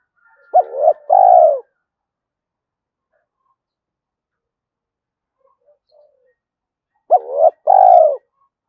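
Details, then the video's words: Spotted dove giving thúc coos to attract wild doves: two loud phrases about six seconds apart, each a short clipped note followed by a fuller, longer coo, with near silence between. "tiếng cu gáy thúc hay rút bổi, gáy gọi liên tục dục chim bổi về nhanh"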